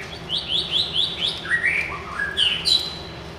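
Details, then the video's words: Wild white-rumped shama in loud, lively song: a quick run of clear whistled notes stepping downward, then lower slurred phrases and a sharp high upswept ending, with faint background hum. "suara kicau burung MURAI BATU LIAR SUPER GACOR"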